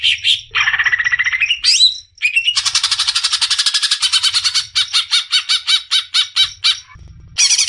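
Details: Greater green leafbird (cucak ijo) singing to rouse beginner cucak ijo: a loud, varied phrase opening with a buzzy note and a sliding rising whistle, then a long rapid trill, and a series of quick repeated chirps.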